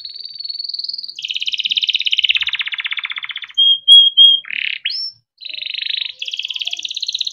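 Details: Timbrado canary in melodic training song: a sustained high roll, a long low buzzy trill, then short clear whistled notes and swept calls, a brief pause, and more rapid rolls.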